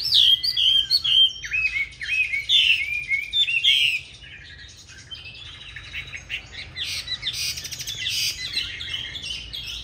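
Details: Hwamei with green-bean eyes (mắt lục đậu) in a fighting-style song, used to train other hwamei to sing smoothly rather than harshly. Loud, varied, rich whistled phrases with slurred rising and falling notes for four seconds, then softer, busier twittering.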